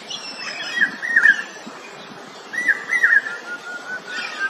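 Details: Common hawk-cuckoo, known as the brain fever bird, repeats a shrill three-note whistled phrase twice over a steady rustling, noisy outdoor background, with faint other bird notes between phrases.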